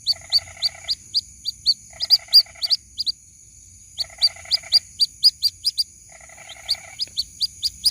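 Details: Young white-breasted waterhen calls its mother with rapid strings of high, sharp peeps, alternating with four bursts of a lower, buzzy, fast-pulsed rattle, over a constant thin high hum.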